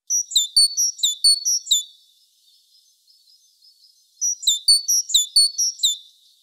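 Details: Great tit singing: a bright two-note phrase repeated about six times in quick succession, then a pause of a couple of seconds, then another run of the same high, ringing double notes.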